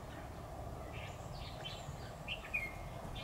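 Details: Decoy red-whiskered bulbul singing in competition at a trap, 10 October 2019: a few separated warbled whistles and one sharp, thin note near the end, over constant low environmental noise.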